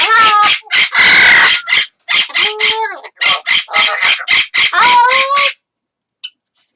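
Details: Captive Amazon parrot, a pet, calling while a second parrot responds; loud raspy squawks and tonal whistled notes repeated rapidly for about five seconds, some with rising and falling tones, then silence.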